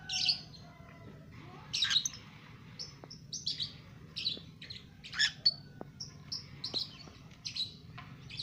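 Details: Two-month-old lovebird singing, kept as a cage bird: bursts of harsh, buzzy chirps and squeaky notes at irregular intervals, with a few drawn-out whistled tones and a low background hum.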